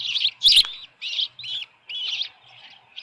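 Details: Osprey at the Dunrovin Ranch nest, 10 June 2018, 6:41 PM, with a headless fish: separate, high, slurred chirps about every half second, and one sharp knock near half a second.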